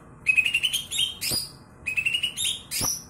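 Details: Greater green leafbird of the kebo type, a former contest bird with a loud, ear-piercing voice, gives two bursts of bright whistled notes stepping upward, each followed by a sharp downward-sweeping buzzy note.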